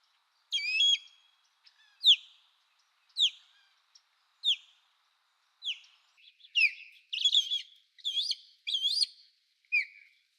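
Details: Osprey calling: series of short, sharp, downslurred whistled chirps spaced about a second apart, then a quicker run of rising-falling whistled notes, on a silent background.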